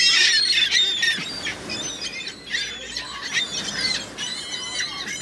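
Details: A crowd of gulls squawking and squealing at once, rapid overlapping harsh cries with no pause, busy outdoor chorus.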